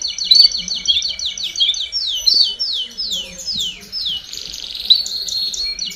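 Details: Canary baderna song meant to tutor young birds: long runs of fast, high, repeated trill notes shifting in speed, with a dense buzzy passage late on and faint low background noise.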